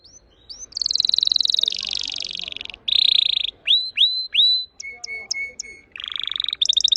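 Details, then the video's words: Red factor canary mixing varied phrases: a rolling trill, a buzzy burst, rising whistles, clipped high notes over steady lower tones, and a final quick trill, with faint low background noise. "Your canary Will Sing Unstoppably || The master singer || Best canary 2026||very fast singing canary"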